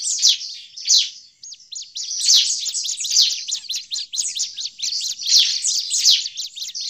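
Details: Bar-winged prinia in agitated mood, a call used as a lure for prinias. Sharp high notes open the recording, followed by a fast run of looping chirps merging into dense, scratchy chatter.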